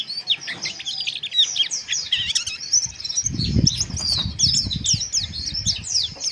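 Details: Kept Mountain white-eye chirping harshly, a sound meant to raise breeding arousal; continuous high, jumbled twitters and sharp chirps over the whole stretch, joined midway by low fluttering thumps like wingbeats or cage movement.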